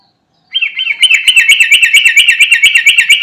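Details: Sooty-headed bulbul calling to companions, delivering a long, loud, fast chattering roll of bubbly notes that continues steadily to the end.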